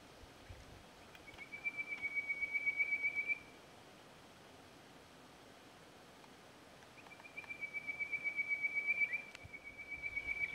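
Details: Male Chestnut Quail-thrush in full voice, Hattah-Kulkyne National Park, 13 September 2022: a thin, high, rapidly pulsed trill held steady for about two seconds, a pause of several seconds, then a longer matching trill that briefly breaks and resumes.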